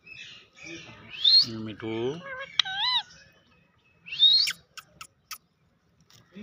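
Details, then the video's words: Urdu-talking parrot speaking words: harmonic voice-like syllables, a loud rising whistle, then a few quick sharp chirps. "Beautiful Face to Face talking Parrot. Bolny Wala Totta. Urdu Talking Parrot"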